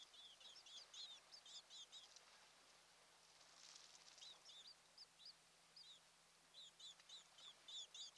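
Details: Osprey couple at their Kent Island, Maryland nest on a June 2018 morning; rapid high chirping bursts, a quieter gap with a soft rustle, then renewed quick piping notes, all faint over low background hum.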